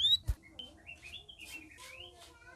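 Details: Red-whiskered bulbuls in captivity, a group in its first week of care, give a run of bright whistled notes that rise and fall in quick succession, with a sharp knock near the start and a faint low hum.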